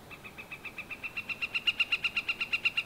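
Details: Northern flicker giving a long run of evenly repeated call notes, about seven per second, loud and clear, steadily growing louder then holding level; faint low background noise and no wood-pecking heard.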